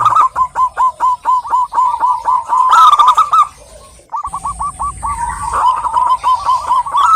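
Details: Female zebra dove calling a male: a fast chain of short, hooked cooing notes at a steady pitch. The run pauses briefly near the middle, then resumes, with a few higher chirps and a constant thin electronic tone behind.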